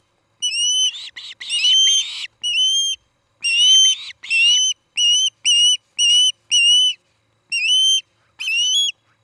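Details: Osprey at a nest near tree-top homes in Charlo, Montana, recorded by a nest camera on the evening of 17 August 2018. Loud, high, whistled upslurred chirps come in quick bursts, about a dozen groups in nine seconds, some with a raspy edge.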